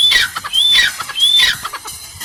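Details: Francolin, or teetar, giving calls that help flock members communicate and keep their hierarchy: loud, high, harsh whistled notes, rising then falling, repeated about every three quarters of a second.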